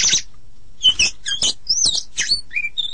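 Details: An Oriental magpie-robin (Copsychus saularis) sings a quick, varied string of clear high whistles and slurred notes mixed with scratchy, harsh bursts, with short pauses between phrases.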